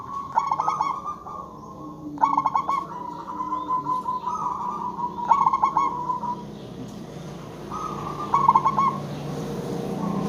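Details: Local zebra dove used as a call-back lure for other zebra doves: four trilled cooing phrases roughly every two seconds, each a quick stutter of notes then a sustained tone, over steady low background noise.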